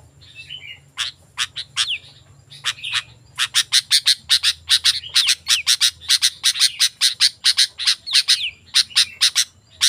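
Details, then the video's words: Sooty-headed bulbul sound for luring wild bulbuls and tutoring caged birds: a few scattered notes and a brief whistle, then a long steady train of sharp high chips about three per second. "Suara Burung Kutilang Gacor, Ampuh untuk Masteran dan Pikatan Burung Kutilang Liar Langsung Nyaut"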